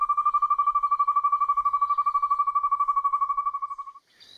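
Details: Asian barred owlet, a small owl that often calls by day, at Kaeng Krachan National Park, Thailand, giving a long, even, fast-pulsed whistled trill on one mid pitch for about four seconds, stopping abruptly.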